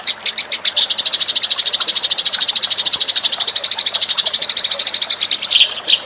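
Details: Lure call of Eurasian tree sparrows, made of fast, steady, high chirps repeated about three times a second in a continuous busy chatter that rises slightly in pitch near the end.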